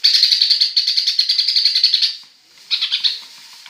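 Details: Greater green leafbird singing in imitation of a sparrow: a rapid run of bright, high chirps, roughly eight a second for two seconds, then a short pause and a briefer burst of the same notes.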